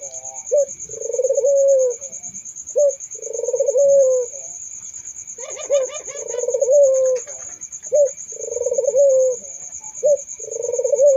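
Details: Barbary dove calling: short note then a rolling, purring coo, repeated several times with pauses, while a sparrow-like chirping briefly overlaps midway; a steady high whine runs throughout.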